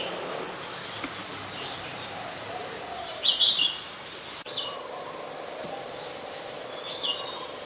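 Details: From Ubon Ratchathani, Thailand, 31 December 2020: an adult Red-whiskered Bulbul delivers one loud, quick burst of warbled whistles midway, with fainter thin notes before and after and steady outdoor background noise.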